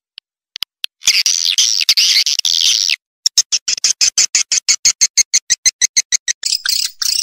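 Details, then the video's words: Swiftlet calls: a few sharp clicks, then a two-second stretch of dense, buzzy, high twittering, then a fast train of short, regular chirps, about three per second, ending in a brief buzzy trill. "Suara walet terbaik 2020"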